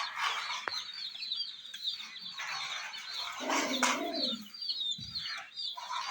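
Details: Young hen chicks by a miniature jeep toy peep constantly in short, high, slightly downslurred notes, many overlapping, with a brief lower grating noise partway through and occasional clicks.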